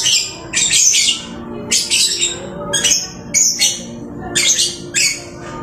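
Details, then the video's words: Lovebird kept at home, singing diligently, gives raspy, shrill chattering phrases roughly every second, each a tight burst of harsh high notes separated by short quiet spells. "Burung Lovebird rajin kicau"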